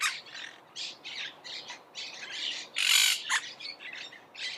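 Monk parakeets give a rapid run of harsh, grating squawks, about two or three a second, with one louder screech near the middle.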